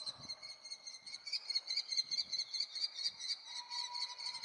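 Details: Common kestrel chicks on 2 June 2018, waiting since morning for a parent to bring food, give a steady, shrill high-pitched trilling chorus with quick pulses about twice a second, plus a lower faint whine near the end.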